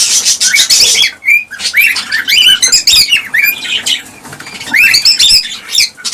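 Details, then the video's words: Cockatiel calls meant to stimulate pairing and breeding: bright, ringing chirps and short arched whistles, some rising, tumbling over one another from several birds, with a moment of near silence near the start. "حفز طيور الكالوبسيت(الكوكتيل) على التزاوج والإنتاج بهذا الصوت القوي"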